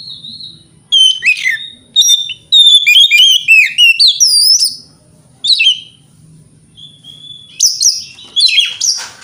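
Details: A white-rumped shama sings in separated bursts of rapid, piercing whistles and sharp slurred notes, with quiet gaps between, played to provoke other shamas into answering.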